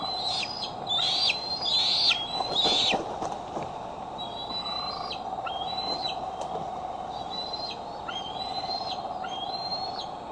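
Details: Bald eagle at Decorah on an eagle cam, July 6, 2011: a series of about eight high, thin whistled notes, each rising then ending in a short drop, roughly one per second, louder at first, with faint hum and rustling.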